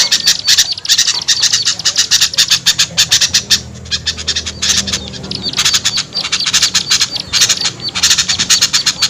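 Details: Small-bird lure sound of rapid, scratchy, high-pitched chips in fast bursts, with a brief quieter stretch midway and a low steady hum behind.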